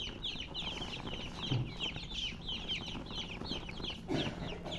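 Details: Many baby chickens chirping together: dense, overlapping high peeps, each a quick downward-sliding note, tumbling along without pause, with a couple of soft low thumps in the background.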